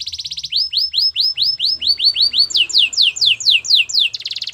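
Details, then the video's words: A canary sings a fast pulsed roll, then evenly spaced downslurred whistles about four per second, shifting to a higher-pitched series of sweeping notes and another rapid roll. "Your canary will sing unstoppably | Belgian canary singing"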